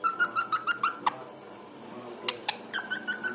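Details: Pet parrot giving a rapid train of short pulsed whistles at one pitch, a pause with a couple of clicks, then another fast run of pulsed whistled notes.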